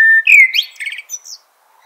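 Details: One short Eurasian blackbird phrase: a steady whistled note sliding into a rising fluty warble, trailing off in a thin high twitter.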